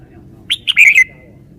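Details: Red-whiskered bulbul showing its song phrasing: one rapid, bright phrase of three or four loud chirped whistles ending in a falling slur, with low hum behind it.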